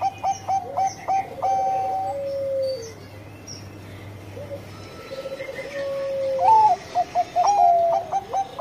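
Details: Bangkok-type zebra dove in sweet, frequent song: rapid clipped notes and a held coo that falls away, quieter soft cooing in the middle, then a renewed run of stepped staccato phrases.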